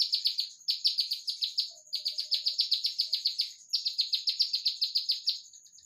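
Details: Olive-backed tailorbird singing in the fast, tightly packed 'nembak rapat' style: three bursts of rapid, sharp, high chipping notes, roughly four per second, each burst running about one and a half seconds with brief pauses between.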